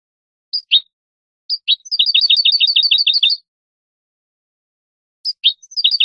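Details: European goldfinch song from a tutor recording for teaching young birds: a few isolated high chirps, then a fast run of bright twittering notes for about a second and a half, a pause, and the twitter resuming, with no other sounds.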